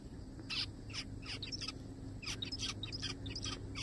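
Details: Several zebra finches in a forest call in a busy, overlapping stream of short nasal, honking notes with a few clearer high pips, steady low hum underneath.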